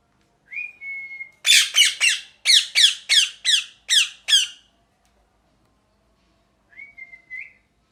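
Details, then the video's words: Parrot opening with a flat whistled note, then bursting into about ten harsh, rasping squawks in quick succession before a final short whistle that rises at its end. "Parrot Chirping Sounds | Natural Parrot Sounds | Parrot Calling Sounds"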